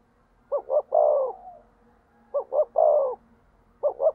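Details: Low, mellow coos from a spotted dove kept as a decoy to provoke rivals; each phrase is two short notes and one longer, falling coo, heard about three times with brief gaps.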